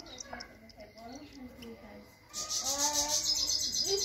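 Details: Male and female European goldfinches singing: soft, low murmuring at first, then a sudden dense burst of high, rapid twittering and chirping from midway to the end, with lower tonal sounds underneath.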